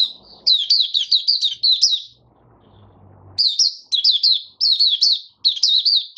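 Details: Caged white-eye singing, phrases of short, rapid, high-pitched tweets sliding up and down, with a pause of about a second midway before the quick warbling resumes.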